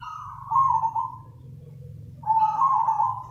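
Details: Zebra dove (perkutut) calling, used as a lure for other doves: two drawn-out, purring trilled coos, each wavering slightly downward and lasting about a second, separated by a pause, over a low steady hum.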